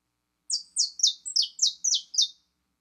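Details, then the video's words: Saffron finch pouring out a rapid series of seven buzzy, slightly rough notes, each dropping in pitch, packed closely together in under two seconds. "CANÁRIO DA TERRA FIBRA"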